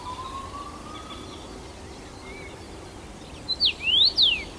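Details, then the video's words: Common Rosefinch, a first-summer male singing in June 2015 at Bazel, Belgium; after a quiet stretch with a faint distant tone, one bright whistled phrase of short notes, a rising sweep and a falling sweep. "Common Rosefinch"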